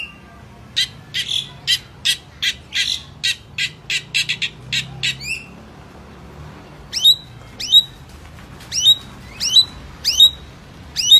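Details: Long-tailed shrike in full song in Indonesia: a brisk series of raspy, scratchy notes about twice a second for five seconds, a short lull, then clear piercing notes with a sharp downward flick, repeated irregularly.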